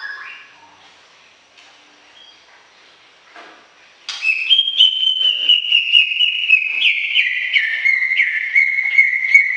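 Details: Greater green leafbird: a soft lower whistle, a few quiet seconds, then a loud, sustained stream of fast whistled notes with rapid chips, easing slightly lower in pitch through the phrase.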